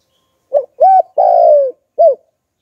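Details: Clean single phrase from a spotted dove in the Hạp Bổi voice used for luring wild doves: short coo, arched coo, long downward-sliding coo, then a brief closing coo, in silence.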